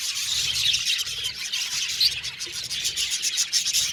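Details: Many budgies in an aviary twittering at once, a thin, bright, unbroken chatter of quick chirps with a couple of sharper squeaky notes rising above the rest.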